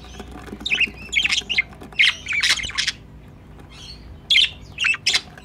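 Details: Pet budgerigars by their nest box, hoped to become a breeding pair, make loud raspy squawks and chattering bursts, several grouped calls, a pause, then more harsh notes.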